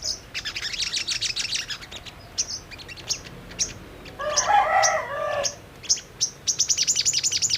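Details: Brown-throated sunbird lure recording, played to make birds sing quickly and get worked up: rapid bursts of sharp, high ticking chips, broken midway by a louder, lower, harmonic nasal phrase lasting about a second and a half.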